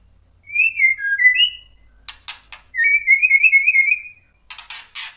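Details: White-rumped shama provoking other shamas: a short set of sliding whistles, a few clicks, then a longer wavering whistled note and more clicking bursts.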